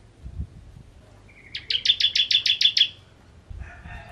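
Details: After a soft lead-in note, a Kristal-type bar-winged prinia gives a short, rapid ngentrok burst of roughly eight bright, high chips, followed by a faint muffled noise.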